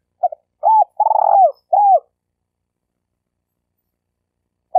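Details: Spotted dove giving a stuttering lure call, used to train newly caught birds and to lure birds when hunting: a short series of soft, low, hoarse cooing notes over about two seconds, with one rapid rolled coo in the middle, then silence and a last coo.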